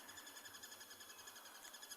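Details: A Crested Barbet gives a fast, monotone trill of evenly spaced pulses that runs on without a break, calling not far away near a water hole during a morning game drive in a South African reserve on 27 July 2020, faint against steady hiss.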